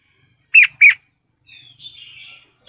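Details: Female sooty-headed bulbul in breeding condition calling to the male, used as a lure: two sharp, loud chirps close together, then a fainter, thin warbling twitter and another chirp cut short at the end.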